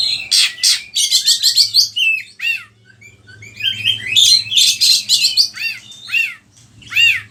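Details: Oriental magpie-robin song used as a lure and tutor recording for training other caged birds, Indonesia: varied loud phrases of buzzy chattering bursts, repeated downslurred whistles and rapid high notes, with a low hum beneath.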